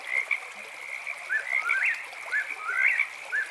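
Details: Eastern whip-poor-will singing at night beside a campfire, running creek and chirping frogs; repeated phrases, a low note then a sharply rising whistled one, about once a second, over a steady high frog chorus.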